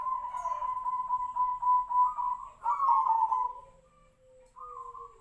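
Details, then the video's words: Zebra dove of the Tejoanom song style, judged for a unique voice said to resemble the sirtu-sirpo bird; a long rolling, bubbling coo held near one pitch, then a louder warbled phrase and a faint, lower, falling tone at the end. "PERKUTUT TEJOANOM|| SUARA SEPERTI BURUNG SIRTU-SIRPO"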